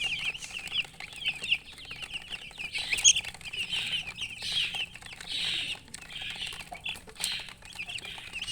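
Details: Young chickens giving high, slightly blurred peeps in loose bursts, with rustling and a faint hum underneath.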